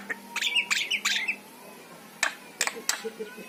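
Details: Singing yellow-eyed Javan myna, a recording meant to set pet mynas singing: three grating squawks in quick succession, a pause, then a few sharp scattered clicks.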